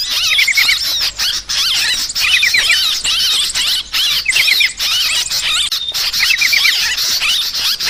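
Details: Noisy lure calls of sooty-headed bulbul for bird trapping, a busy stream of bubbly chattering notes with short rapid trilled bursts recurring about every second, broken by brief gaps.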